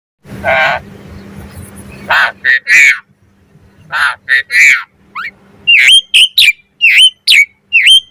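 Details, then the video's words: Asian pied starling singing 'mompa' variations, used as a tutor and lure to get starlings singing: harsh raspy bursts open, then clipped notes and a run of sharp whistled downslurred notes with a hooked tail. "Suara Jalak Suren Mompa Variasi AMPUH Buat Masteran & Pancingan Burung Jalak"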